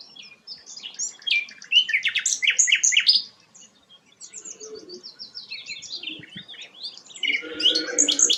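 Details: High, quick twittering song of the rare sikatan londo flycatcher, loud chirped phrases followed by softer, rapid warbling notes, with a low rumble near the end.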